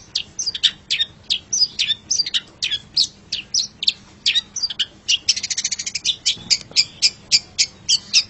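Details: Master song from a caged long-tailed shrike used to train pet birds: quick scratchy high notes in an irregular stream, a buzzy trill midway, then evenly spaced sharp chips.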